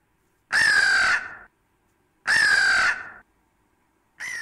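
A crow gives harsh, hoarse caws, each nearly a second long and slightly falling, repeated about every two seconds, with nothing else heard.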